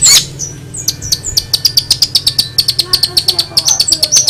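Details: Long-tailed shrike in a rapid run of short, dry, high ticking notes, almost clicking, broken by a few brief thin whistles, with faint voices in the background.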